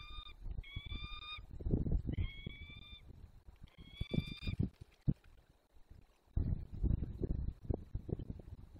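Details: Peregrine falcons at a nest site in the Barycz Valley, Poland, at 2 pm on 13 March 2022, calling during the onset of breeding: four drawn-out, nasal, steady-pitched wails of about half a second each, over heavy low rumbling and thumping noise.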